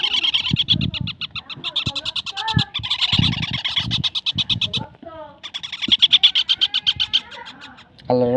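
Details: Parakeet chick giving long runs of rapid, high, grating chirps in quick pulses, with low human voices underneath and a short rising squeal near the end.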